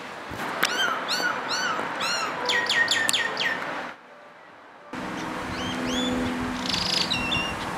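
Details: Common myna singing: a loud series of varied whistles, clicks and sharply swept notes, a brief pause, then more rising and falling whistled phrases over a steady low hum and background noise.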